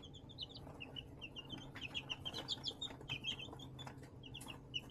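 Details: Baby chicks raised indoors in a plastic-tote brooder box under a heat lamp, recorded March 20, 2024: dense, overlapping high peeping chirps, many short rising-falling notes in quick succession, with scratchy clicks of pecking or scratching and a steady low hum.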